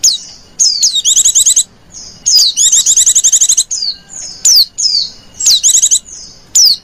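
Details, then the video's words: White-eye lure call made of high rapid twitters mixed with many separate sharp, falling slurred notes, coming in uneven bursts over several seconds. "PLECI KALIAN LEPAS ATAU ADA PLECI LIAR 😝 PUTAR SUARA INI AJA"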